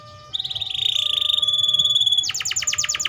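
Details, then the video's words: Atlantic canary holding a long, steady, high buzzing trill, then breaking into rapid pulsed chirps. "THE VOICE OF THE CANARIA SERINUS BIRD"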